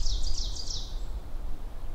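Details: Ovenbird song in a forest where about four ovenbirds sing around the listener: a quick run of high, chanting paired notes repeated about five times in under a second, over a steady low rumble of wind.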